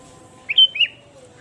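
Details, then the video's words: Sooty-headed bulbul singing, used to lure birds: one brief whistled phrase of two quick, slurred, warbling notes, with a quiet, steady background. "Suara burung kutilang gacor pikat!!//pikat burung kutilang"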